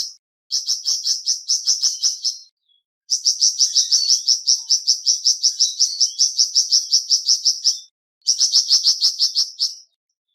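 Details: Flamboyan bird, played as therapy to get birds singing loudly, gives long trains of rapid, high chirps at a steady rhythm, broken by two short pauses.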